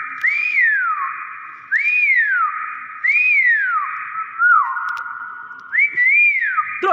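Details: Pet hill myna whistling a series of rising-then-falling swoops, one roughly every one and a half seconds, with a steady whistled tone beneath, a few faint clicks and knocks; clapping follows.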